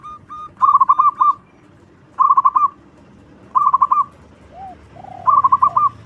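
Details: Loud-singing local zebra dove used to lure other doves: four bubbling, stuttered phrases of quick coos, spaced about one and a half seconds apart, with a few lower, softer curved coos between.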